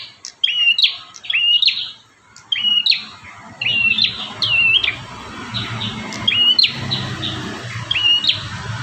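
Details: Bar-winged prinia singing strongly, one of five song variations used to train caged prinias: clear, whistled chirps with a short slurred twist, repeated about once a second over a soft low rumble.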